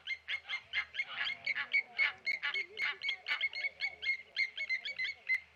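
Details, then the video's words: Blacksmith lapwings dive-bombing a Tawny eagle at Okaukuejo Resort wildlife waterhole, giving sharp metallic clinking alarm notes in rapid, slightly uneven succession, about twenty in under six seconds, with faint low rumbles beneath. "Tawny Eagle dive bombed by Blacksmith Lapwings"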